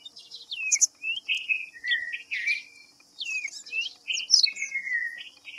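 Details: Rhipidura aureola, the white-browed fantail, in a rapid sequence of rising and falling whistled notes, some overlapping, with a faint continuous high hiss underneath.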